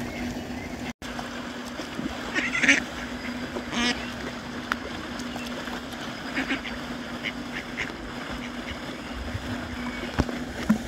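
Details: Mallards in Ebertpark, males fighting to mate with a female, give a few short, harsh, raspy quacks in scattered bursts over a steady low mechanical hum and faint background noise.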